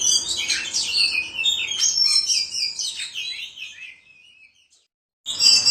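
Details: White-rumped shama (kacer) in ngobra song, pouring out bright whistles, buzzy trills and quick twittering notes that gradually quieten into silence, then a sudden loud phrase breaks in at the very end.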